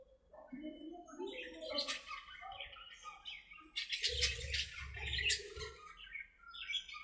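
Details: Budgerigars at play in their aviary, chattering in mixed warbles and chirps with bursts of harsher squawking in the middle, plus a low thumping noise beneath.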